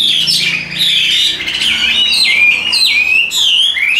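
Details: A tame Chinese hwamei in a cage sings clear, ringing whistles, each sliding down and then holding, in a steady series of strong phrases against a quiet room background.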